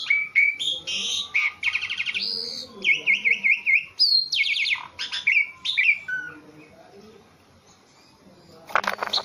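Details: Caged, very tame Javan pied starling in full song: varied whistles, rapid rattling trills and repeated upward-sweeping notes, ending with a harsh burst after a pause.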